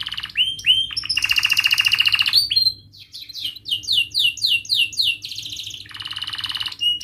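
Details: Canary song used as a lure to teach young canaries to sing: loud, sharp chirping rolls, with long buzzy trills, fast repeated rising whistled notes, then another rapid rattling trill.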